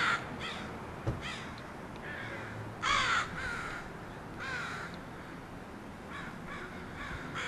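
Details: Several crows from a flock settling at a house, raising a racket: a scatter of harsh, overlapping caws of varying loudness, some distant and some close, spread irregularly across the recording.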